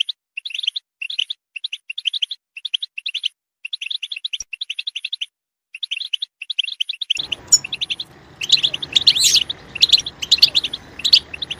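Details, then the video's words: Goldfinch song meant to prompt a goldfinch into loud singing: crisp, separate phrases of tinkling chirps with clean gaps, then a louder, denser twittering with background hiss in the last few seconds. "Stimulating a goldfinch clip to make it chirp in a loud and wonderful voice"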